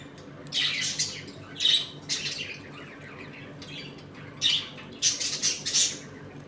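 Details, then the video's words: Several budgies in an indoor home colony while eating and playing, giving harsh, scratchy squawks in short clusters, a quieter gap mid-clip, then a dense run of rapid chatter. "Budgies Eating and play time in my home colony."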